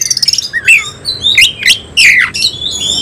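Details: Semi-cililin oriental magpie-robin in full display with its tail fanned. It gives a short burst of rough chattering notes, then a few loud rising and falling whistles, each note sliding sharply.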